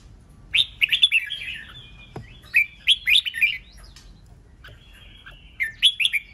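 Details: Red-whiskered bulbul song used to provoke rivals into fighting: three bursts of fast, liquid whistled phrases, each of several slurred notes, with a faint sharp click in between and calm background.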